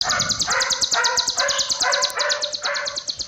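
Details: Olive-backed sunbird (konin) song used as a training recording, described as full of dense, long cililin phrases: fast high ticking trills repeated throughout, with lower buzzy bursts recurring about every half second beneath them.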